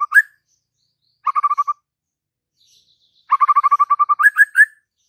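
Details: White-rumped shama song, used to make a silent bird answer and sing: a short rising note, then bursts of rapid, evenly repeated chattering notes, the last burst speeding into rising whistled notes, with silent gaps between.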